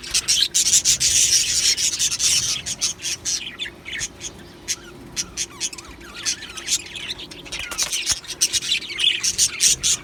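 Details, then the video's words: Colony of Australian budgies in an aviary chattering constantly, dense overlapping high scratchy chirps and squawks in quick bursts, with a faint steady background hum. "Australian Budgie birds Chirping Sounds"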